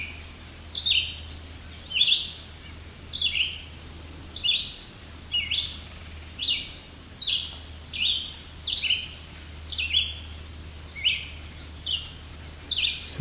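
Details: A family of at least five White-breasted Nuthatches, young being fed by a parent, near Cape Chin North on Ontario's Bruce Peninsula, 17 July 2019, give short, high, nasal notes in loose overlapping runs, roughly one a second, over a low hum.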